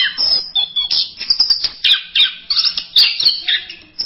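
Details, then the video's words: Fast, varied masteran-style song of an orange-headed thrush: sharp chips, squeaks and brief trills come in rapid succession, with short high whistles scattered among them. "Berbagai kicau burung anis masteran"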